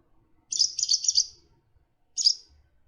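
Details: A Barn Swallow (Hirundo rustica) calls: a quick run of high, squeaky chirps for about a second, then one more sharp note after a short pause.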